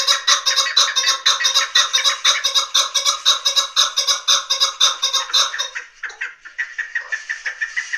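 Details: Chukar partridge calling: a fast run of sharp, clucking chuck notes about two per second, steady and evenly spaced, that stops abruptly and gives way to softer scattered sounds.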